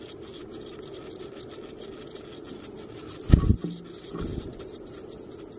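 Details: Young Black-capped chickadees begging inside a backyard nesting box while being fed by their parents: continuous high, thin squealing, interrupted by knocking and rustling thumps midway.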